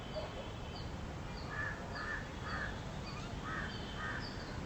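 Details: Western swamphen feeding with chicks: a run of short, harsh, nasal notes in the middle of the clip, about two per second. Thin high chirps repeat throughout over a steady outdoor hiss.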